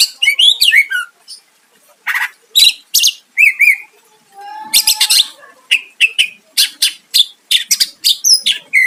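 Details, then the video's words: Greater green leafbird in loud full song used to provoke a rival into answering, with rapid varied phrases of buzzy notes, high whistles and downslurred chirps, one long steady low whistle near the middle. "Cucak ijo gacor mancing lawan dijamin Nyahut"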